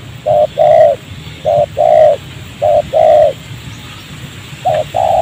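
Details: Spotted dove calls at a trapping site in a rubber plantation near houses, a wild bird reacting to the decoy's voice; three mellow short-long coo pairs, evenly spaced, followed by another pair.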